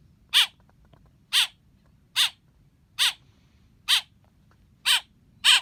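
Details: Young blackbird chirping: seven grating, falling calls repeated roughly every 0.9 seconds over a soft hum.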